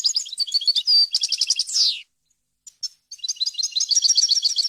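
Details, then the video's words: European goldfinch, recorded as a pure, error-free model song for young birds and hybrids: quick chattering trills and a clear whistled note, a falling buzzy slide, a pause with a few stray chips, then dense high twittering resumes. "غناء طائر الحسون ، صوت صافي وخالي من الاخطاء لتسميع الفراخ"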